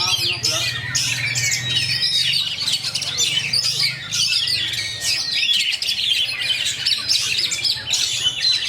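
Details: Oriental magpie-robin (kacer) delivering a fast, tightly packed rolling song, called roll speed rapat: a continuous stream of high chattering trills, whistles and squeaky notes with no pauses, over a low steady hum.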